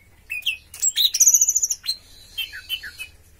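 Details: Orange-headed thrush (anis merah) song in the teler style: quick varied whistles and a fast, even, high-pitched trill lasting about half a second, then softer slurred notes that fall in pitch.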